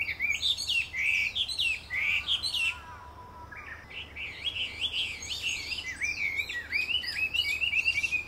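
A Chinese hwamei sings a loud, rich run of varied whistled phrases, fluty and slurred, with a brief lower descending whistle midway and hardly a pause.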